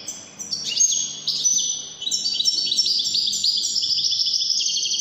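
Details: Wedani-style Moroccan goldfinch song, a dense, high-pitched chatter of rapid chirps, slurred whistles and tinkling trills running without a break.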